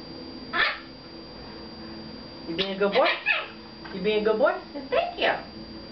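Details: Talking pet red-fronted macaw, male, addressed by its owner at home; an early short squawk, then clustered wordlike phrases with warbling, rising inflections, alternating with the owner's soft praise.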